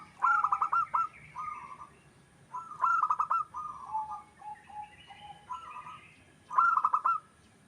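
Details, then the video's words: Wild local zebra dove singing, used to lure other birds: short bursts of bright, ringing coos every few seconds, interspersed with softer, lower coos and faint higher chirps from other birds. "Perkutut lokal alam gacor Nutut,suara perkutut sedang mantap untuk pancingan"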